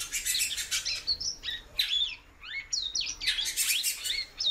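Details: Calling female great-billed seed-finch in captivity. The clip is dense with quick chirps and several clear, slurred whistles that rise and then drop, coming in uneven bursts.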